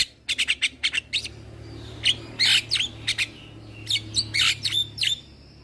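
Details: Young male black-winged starling, head-bobbing cage bird, gives rapid sharp chips then hoarse bursts and short slurred whistles, loud against a soft low background hum.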